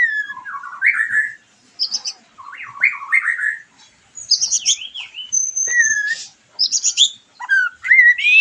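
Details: Lure song of a white-rumped shama, played to spur a bird that has finished moulting into singing: varied swooping whistles, sharp high notes and buzzy slurs in quick phrases, broken by brief pauses.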